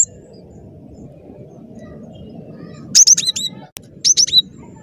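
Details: Cinereous tit in active song, meant as a lure for trapping, heard after a quiet stretch as two short bursts of high, sharp, repeated down-slurred notes.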